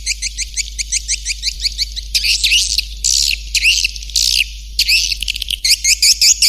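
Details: Swiftlet lure call: a fast run of short, evenly spaced high chirps, then longer raspy twittering bursts with brief pauses, all very high-pitched.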